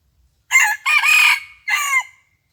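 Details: Red junglefowl crowing on the morning of 27 January 2021 during decoy trapping of wild junglefowl: a loud, harsh crow in three bursts, a short opening note, a long strained middle phrase and a falling final note, against quiet surroundings.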